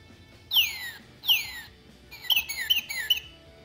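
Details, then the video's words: A Northern cardinal gives two loud, clear down-slurred whistles, then a quicker run of three shorter slurred notes, 'cheer, cheer, birdie-birdie-birdie'; males and females sing this in early spring. "male and female cardinals sing in early spring they sound so happy when they seem to say cheer cheer birdie birdie birdie"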